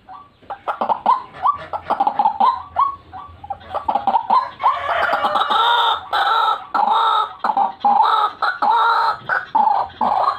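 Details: White-breasted waterhen lure call, gacoran style: quick stuttering croaks that accelerate into a long series of loud harsh buzzy notes, each about half a second, evenly repeated.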